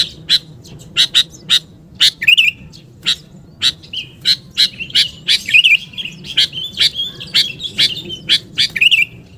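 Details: Sooty-headed bulbul calling energetically for luring. A rapid series of sharp chips leads into repeated gurgling warbles and twittering, dense and continuous through the second half.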